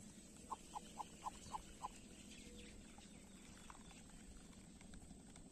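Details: Two young greater coucals give a quick run of six clear, mid-pitched notes, about four a second, then fall quiet over a low rumble of background noise.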